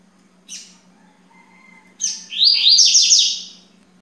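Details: Yellow-bellied seedeater singing: a thin chip, a faint whistled note, then a rapid buzzy, scratchy high phrase of descending slurred notes lasting about a second and a half, with a constant low hum beneath.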